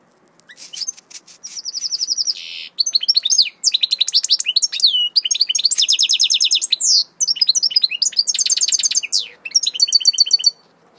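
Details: A European goldfinch hybrid sings a soft "whisper" song: long, rapid, high twittering of liquid trills, chirps and buzzy notes, with barely a pause for eleven seconds.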